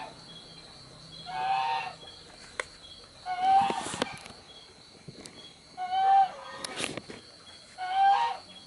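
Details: Young spotted dove uttering four wheezy, husky squeaks spaced a couple of seconds apart, with faint clicks and handling noise between them.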